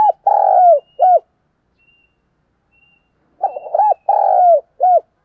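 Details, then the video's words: A spotted dove gives its soft, husky morning coo phrase twice, each a quick run of low, hollow notes with a longer drawn middle note, separated by quiet pauses. "tiếng cu gáy mồi gáy gọi buổi sáng"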